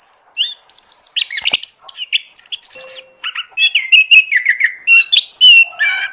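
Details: Oriental magpie-robin song used as a lure to attract birds: a rapid varied medley of clear whistles, slurred notes and chirps at high pitch, phrases tumbling quickly one after another with short gaps.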